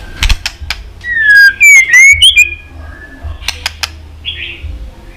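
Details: White-rumped shama singing, used to excite pet shamas into song and tail-flicking: sharp clicks, then a loud bright whistled phrase with slides up and down, and a soft burr afterwards.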